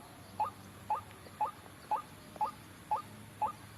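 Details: White-breasted waterhen lure for trapping: short, clear, upward-flicking notes repeated steadily about twice per second, over a quiet low hum.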